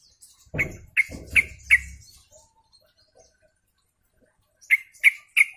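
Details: Sooty-headed bulbul group chorus used as a lure: a few sharp, bright chirps near one second, then a pause and three more spaced chirps at the end, with low dull thumps under the first notes.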